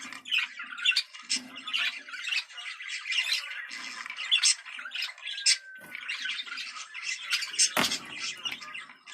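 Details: Budgerigars give mating-arousal chatter used to excite birds for breeding: a continuous dense mix of scratchy warbles, clicks and squawks, mostly high-pitched, with one sharp louder squawk near the end.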